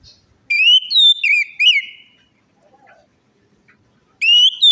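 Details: Orange-headed thrush song as a lure for a bird that stays silent or is stressed: a burst of rich whistled phrases rising and falling, a pause with faint low sounds, then another high whistle.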